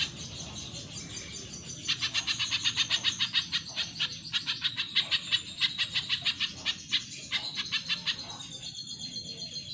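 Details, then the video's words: Cage-bird training recording of a spiderhunter in active song: dense bursts of quick, high, clipped chirps in rapid runs with short pauses, a faint steady hum underneath. "Masteran Pijantung Pisang Gacor"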